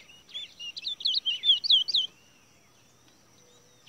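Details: Towa Towa seed finch, caged for a bird race song contest, delivers one rapid two-second phrase of looping, sweet whistled notes, rising and falling, before near quiet with a faint steady hum.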